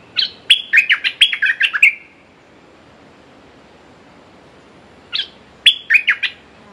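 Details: Decoy red-whiskered bulbul calling to lure a territorial wild bird that has defeated several decoys; a quick run of loud, clear, warbling whistled notes, silence for about three seconds, then a shorter phrase of similar notes.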